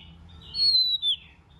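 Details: A white-rumped shama gives a single long, high, pure whistle that eases downward, then ends in a short, sharper dipping note.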